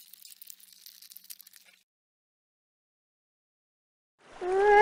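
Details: A North American wild goose gives a single loud, nasal honk that rises slightly at the very end, after soft crackling and a stretch of silence.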